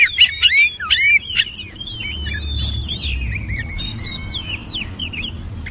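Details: Oriental magpie-robin opening with several loud, sharp whistled slurs, then a long, quieter stream of rapid twittering and warbled notes over low rumbling background noise.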